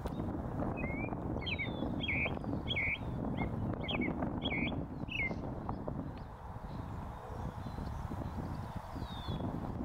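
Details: North American robin, a leucistic bird, singing on a post in a northern USA oak savanna: about seven short caroling phrases in quick succession, each a slurred rising-falling warble, then quieter with distant high notes and low rumbling background.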